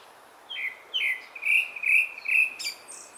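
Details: Song of a grey-backed thrush, a series of five or six fluty whistled notes on a steady pitch with slight downward slurs, closing with a brief high twittering phrase.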